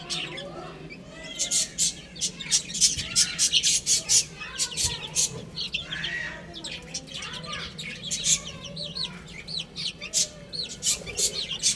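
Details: Chicks eating and playing make busy, overlapping high cheeps. Dense, sharp, clicking bursts run through most of the recording, with a rougher louder note near the middle.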